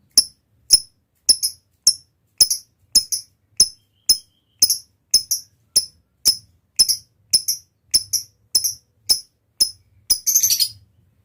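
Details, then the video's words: Lovebird calling with sharp, very high ticking chirps repeated about every half second in an even series, ending in a brief burst of quicker chatter; faint low hum underneath. "suara lovebird gacor ini SANGAT DI REKOMENDASI untuk MENJADIKAN lovebird gacor NYAUT NGEKEK PANJANG"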